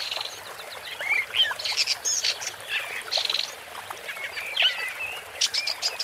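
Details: ['Woodchat shrike delivering a varied song of squeaky chirps, short whistled upslurs and harsh chattering notes in loose bursts.']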